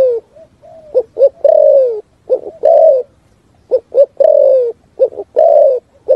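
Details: Spotted dove singing a full 'thúc gù' style song in the forest: phrases of two or three short, low coos followed by a long, drawn-out coo that falls slightly at the end, repeated about every two seconds in a quiet setting.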